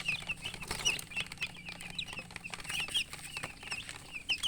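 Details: Chicken chicks give high, piercing peeps, several clear downslurred whistles standing out from softer chirping, over a steady bed of clicks and a faint low hum.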